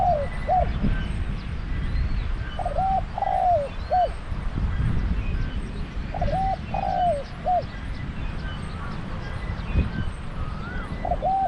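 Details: Caged decoy spotted dove luring wild doves, with a strong deep voice. Repeated three-part coo phrases about every three to four seconds, with faint higher calls of other birds in the background and low rumbling noise.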